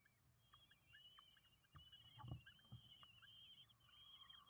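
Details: Five common kestrel chicks at a nest in Windsbach, Germany, calling while fed on 27 June 2022; a continuous shrill, wavering, trilled begging sound, with a few dull bumps around the middle.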